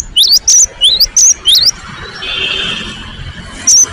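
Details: Whistled song of a cinereous tit in vigorous, emotional form, with quick rising and high notes in a fast series, then a soft hissing rustle before one last high note.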